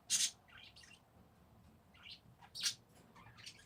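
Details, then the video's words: Parakeets calling with sharp high squeaks followed by softer twittering chirps, repeated in two clusters a couple of seconds apart. "Peaceful #parakeets"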